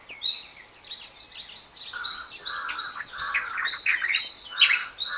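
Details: Indian cuckoo, known locally as Vishupakshi, giving a run of four mellow whistled notes at a steady pace, backed throughout by high, dense chirping from other birds or insects.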